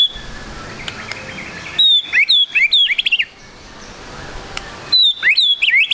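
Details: White-rumped shama lure song for prompting a bird to sing quickly: two vigorous bursts of bright whistled notes mixed with sharp ticks and downward slurs, separated by a short quiet gap with faint background chatter.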